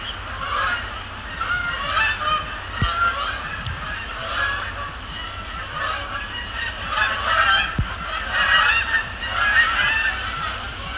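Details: Canada geese at night on Sapsucker Woods Pond, Cornell Lab of Ornithology, flying over and splashing down; a dense chorus of overlapping harmonic honks, many birds calling at once, with a few sharp clicks.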